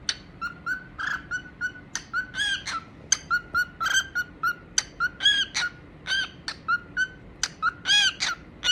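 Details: Pet cockatiels from a compilation of playful and singing moments, giving rapid repeated short chirps and whistled notes, several overlapping, about two to three per second, with a steady background hum.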